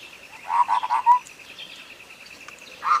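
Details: Sooty-headed bulbul song, used as a clear tutor recording to prompt a silent bird into singing: a quick run of four mellow, bubbling notes, a short pause, then another rich note at the end, over a steady high electrical-like whine.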